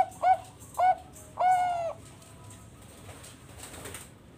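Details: Bangkok-type zebra dove (perkutut bangkok), farm-bred in Bekasi, West Java, Indonesia, singing on its perch as a lure for other doves: two short rounded coos, then one longer drawn-out coo, followed by quiet room noise.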